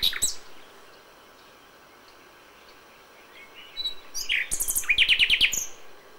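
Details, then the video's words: Common nightingale singing at dawn in May: after a near-silent stretch with one sharp note at the start, a phrase builds from rising whistles into a fast run of about ten loud repeated chipping notes near the end. "A FÜLEMÜLE ÉNEKE."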